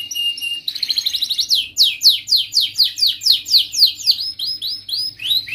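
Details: Song of a young canary learning to arrange its tune, played to train young canaries: a short whistled opening, then a fast, even series of loud downward-swept trill notes, about four per second.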